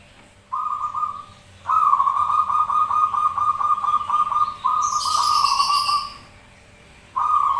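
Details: Answering zebra doves in lure singing. Extended runs of vibrating, trilled cooing, some lasting several seconds, follow one another. A short burst of high chirping from another bird overlaps near the end.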